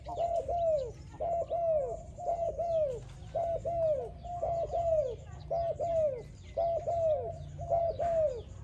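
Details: Steady spotted dove song for training, eight close pairs of low coos about every second, each pair arching and falling away, with faint higher chirps in the background.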